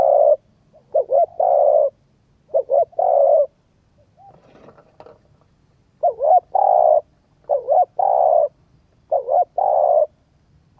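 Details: Spotted dove cooing, played to stimulate a decoy bird; phrases of two or three short coos ending in a long throaty coo, repeated with a pause near four seconds, faint low hum beneath.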